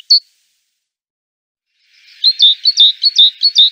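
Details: Great tit giving one sharp high note, then silence, then a rapid run of about eight high, clipped notes with slight downward inflections. A steady hiss sits underneath the run.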